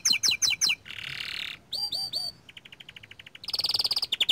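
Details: Young small standard canary singing in full voice: quick repeated chirps, a buzzy burst, three hooked whistles, a soft even ticking series, then a loud fast rolling trill.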